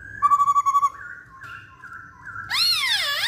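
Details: Masked laughingthrush singing lively: a series of short pulsed whistles on one pitch, then long level whistled notes, ending in a loud swooping, arching call rich in overtones.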